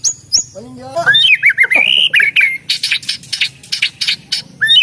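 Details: White-rumped shama song of loud slurred whistles that climb and wobble, followed by a run of sharp, rapid staccato notes repeated several times a second, ending on a short rising whistle.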